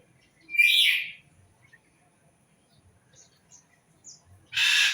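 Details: Bird calling with a loud, raspy, slightly descending burst, then a few faint short chirps, and another harsh, noisy burst after a few seconds of near silence.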